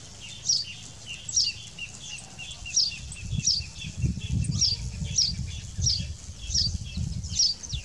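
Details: Saffron finch in the wild, repeating a short high, sharp chirp roughly every second, fairly faint, with soft low rumble beneath.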